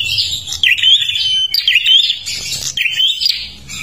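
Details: Kalimantan prinia in full, lively song meant to draw in other birds; thin, high chirping phrases with quick rising whistles and buzzy trills, coming in rapid bursts, low rumble faintly underneath.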